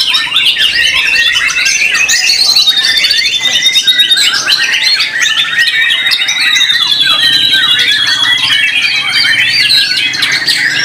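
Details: Competition white-rumped shama from a Solo team at an Indonesian bird contest, delivering a continuous stream of high whistles, rapid trills and descending slurred notes, with a faint low hum underneath.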